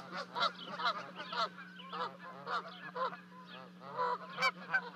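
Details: Canada goose parents honk as their two goslings leap from a 30-foot-high nest at Charlo, Montana, 12 May 2020; dense, continuous, rough nasal honks overlapping one another above a steady low electrical hum.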